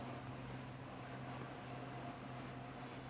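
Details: Low, steady mechanical hum, like a fan or air conditioner, runs throughout, with no animal sound.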